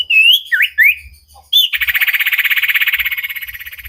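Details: Vigorous common iora song used to train cage birds: a few loud, clear whistled notes that rise and swoop, then a long, rapid, buzzy trill that slowly fades, with soft low knocks behind it.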